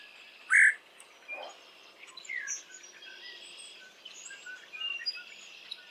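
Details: Near Hannibal and the Mississippi River around 6:30 am, an adult red-headed woodpecker searches the nest for its fledged young, giving a single loud, harsh call, then quieter scattered chirps over a steady high insect-like hiss.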